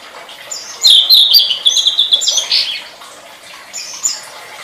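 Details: Tledekan singing, recorded as a training master for songbirds: a fast, loud run of high, bright twittering whistles in the middle, fading to softer chirps, with faint background hiss.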